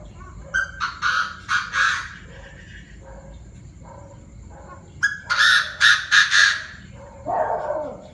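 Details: Chinese francolins in a noisy 7 pm chorus of several voices: two rapid series of harsh, rasping notes a few seconds apart, softer clucks between them, and a lower drawn-out cry at the end.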